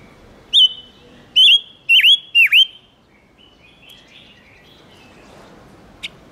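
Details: Silver-eared mesia lure song for attracting wild birds and rousing males: five loud slurred whistles with deep downward swoops, followed by a few softer twittering notes and a single chip.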